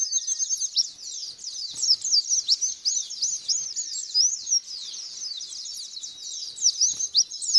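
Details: White-eye lure song, played to make a white-eye respond, sing at length and open its beak: dense, very high, rapid twittering of quick rising and falling sweeps, nearly continuous, with short loud bursts and no other clear sounds.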